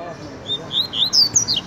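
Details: Coleiro (Double-collared Seedeater), a kept bird singing a tiziu-style song: a quick run of high, slurred whistled notes, some rising and some falling, getting louder toward the end, with faint speech behind.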